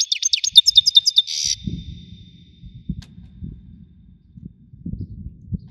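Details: Goldfinch of the Wedani type sings a short, piercing run of twittered notes closing in a buzzy rattle, followed by low rumbling background noise.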